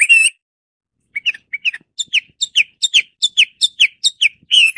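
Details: Hwamei (Garrulax canorus) song: an opening rich phrase, a pause, then a quickening run of sharp downslurred whistled notes repeated more than twice a second, closing with a fuller warbled note.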